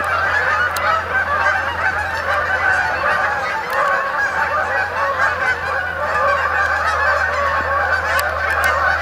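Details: Wild Canada geese flying in at dusk to spend the night on the main pond at Sapsucker Woods, Ithaca, New York, 28 October 2017; a dense, continuous chorus of overlapping nasal honks from many birds over a steady low hum.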